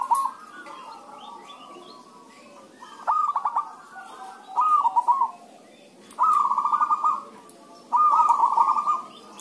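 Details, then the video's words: Several zebra doves sing in answer to one another, a recording meant to coax other doves into song: short bursts of rapid, rolling coos repeated every second or two, with softer cooing underneath. "pancingan suara perkutut rame"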